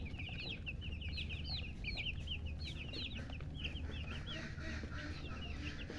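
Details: Chicken chicks chirp in a lively flurry of high, looping, up-and-down peeps that fade somewhat in the second half, while a constant low hum runs underneath.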